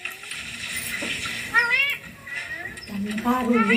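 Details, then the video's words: Ringneck green parrot kept as a pet, talking in a high, nasal, speech-like voice with rising, wavering syllables in short bursts, indoors. "My ringneck green parrot taking"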